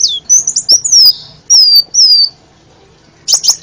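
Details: Sunbird (kolibri ninja) masteran: a few high, thin descending whistles and short chips separated by gaps, over a low murmur of background noise.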